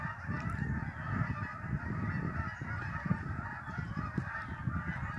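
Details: Migrating geese honking in a dense chorus at Lake Champlain, northern New York, partly covered by strong low rumbling wind or handling noise.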